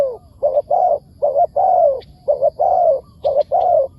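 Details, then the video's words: Spotted dove in the wild, answering a decoy: rich low coos, short notes alternating with long falling ones, four phrases, with a few faint high chirps from other birds. "เสียงดี มีคารมป่า"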